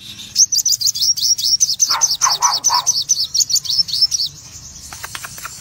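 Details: Crimson sunbird of a pale cremino red-eyed form, singing in the excited ngobra full tembakan style: a fast string of sharp, high chirps, about five each second, with sharp clicks and rustles between bursts.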